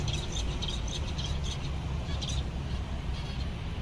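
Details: A group of seven zebra finches, contented on a summer day, utters a string of quick, nasal, beeping calls in loose bursts. Constant low-pitched background rumble.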